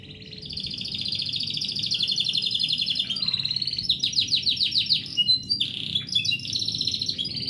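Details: Canary (AFS) singing at home in the morning: a fast, continuous run of high trills and buzzy rolls, shifting into sweeping whistled notes and rapid repeated chips, with a low hum underneath.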